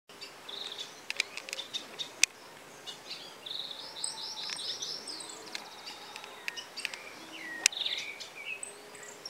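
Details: A European goldfinch, caught three days earlier and already fairly tame (possibly escaped from someone), gives high, tinkling chirps and a quick, liquid twittering run, with sharp clicks and faint background hiss between notes.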